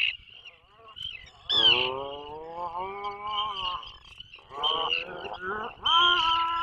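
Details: Atlantic puffin inside a breeding burrow 21 miles off the Maine coast, 2024 season, picked up by a live nature camera: deep drawn-out harmonic moans, some wavering and some sliding, over a steady high thin background whine.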